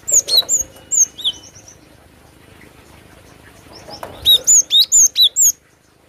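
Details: Cinereous tit singing: a few high, clear whistled notes with downward flicks, a quiet gap of about two seconds, then a loud run of six rapid, evenly repeated sharp whistles.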